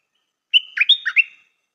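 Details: Stripe-throated bulbul, a new decoy bird with a good song style, gives one bright phrase of about a second: a steady whistle, then quick liquid notes dipping and rising, with no other sounds.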